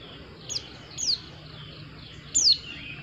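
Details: White-eye uttering three separated, very high, sharp downward-sliding whistles about a second apart over a steady low background hum.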